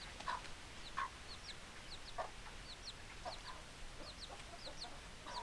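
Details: Hens clucking: low, abrupt clucks about once a second, mixed with repeated thin, high, descending chirps from other chickens throughout, over a soft low rumble.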